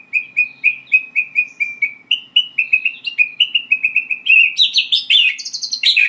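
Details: White-rumped shama learning to sing: a run of short chirps repeated about four times a second, stepping gradually higher, ending in a burst of sharper, higher, buzzier notes.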